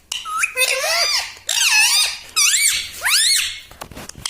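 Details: Talking pet ringneck parrot indoors, four quick nasal voice-like phrases of arched, rising-then-falling harmonic syllables, each about half a second, from a small room.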